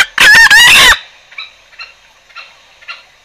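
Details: Green junglefowl lure call for trapping: a loud, harsh, hoarse crow lasting under a second, then a few faint high notes spaced about half a second apart.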